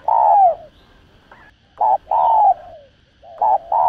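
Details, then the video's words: Spotted dove delivering its 'thúc gù' lure coo: a long falling coo, a pause, then a short note and another long descending coo, with a fresh double note starting at the end. "Cu Gáy Thúc Gù. Tiếng Chim Cu Gáy Thúc Gù Cực Sung Kích Mồi Kích Bổi Cay Cú.cu đất, cu cườm gáy"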